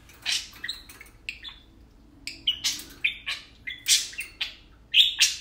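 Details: Two tame pet parakeets playing and talking, kept with bird cages indoors; bursts of bright chirps and short whistled warbles, some notes rising, in quick irregular clusters over a quiet room.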